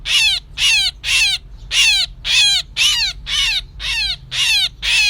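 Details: Myna call used as a lure for trapping: loud harsh buzzy bursts with many descending overtones, about two per second, steady and repeated throughout.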